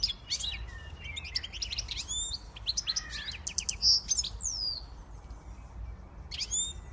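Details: A male siskin-goldfinch hybrid sings a fast, high twittering song of chirps, buzzy trills and rising whistled sweeps, with a low background hum.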